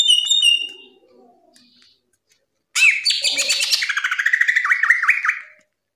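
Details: Cucak ijo in energetic ngeplong gacor singing, a training and therapy recording for young birds: brief high chirps, a quiet gap, then a dense burst of harsh notes shifting into warbled, rolling whistles.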